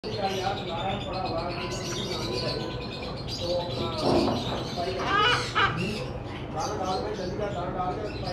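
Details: A blue-and-yellow macaw (Ara ararauna) talks in raspy, voice-like phrases broken by a few harsh squawks, with human speech in the background.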